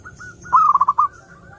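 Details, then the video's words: Zebra dove song, clear, played to lure other doves: faint soft coos lead into a single loud rolling phrase of five quick stuttered notes. "SUARA BURUNG PERKUTUT _JERNIH_"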